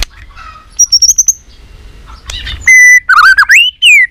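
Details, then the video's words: White-rumped shama giving a competition fighting song: soft high chirps, then a loud sustained whistle and a run of twisting whistled notes sliding downward at the end. "kích lửa 3 mùa yếu lửa hót đấu lên lửa.chòe lửa nết đập xoay chớm lửa hót đấu"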